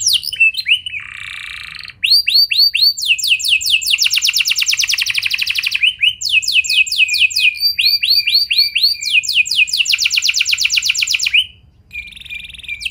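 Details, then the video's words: Canary song used to get other canaries singing: varied phrases of sweeping whistles and long fast buzzy rolls, with brief breaks, ending after a quieter gap. "Pancingan Ampuh Bikin Kenari Lain Bakal Ikut Gacor Do0r Dengan Pancingan Ini! Langsung Nyaut Ngeroll"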